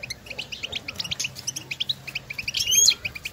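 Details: European goldfinches in nature calling to one another: rapid, evenly spaced high chirps with a bright, thin whistle near the end.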